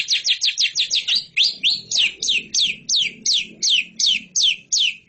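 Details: Competition lovebird giving a series of clear, descending chirped notes, first in a quick burst, then spaced about every third of a second.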